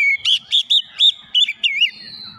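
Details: Short phrase from an Oriental magpie-robin, played to make other magpie-robins sing: about seven loud, buzzy-edged whistled notes, evenly spaced, ending in a long, thin high note.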